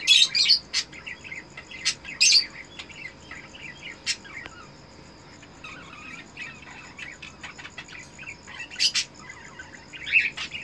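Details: Eno red-eyes cockatiel breeder pair, captive, mating: loud, harsh screeching bursts at the start, then a long stretch of quieter, busy chirping, with more loud shrill bursts near the end.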